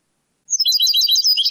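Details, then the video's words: European goldfinch singing in the Moroccan Sebtaoui style, from an old cassette recording of the late 1990s or early 2000s; a rapid, high twittering run of tinkling, liquid notes beginning after a short silence. "CANTO DEL JILGUERO ** شريط نادر و قديم للتغريد الحسون بالنمط السبتاوي المغربي"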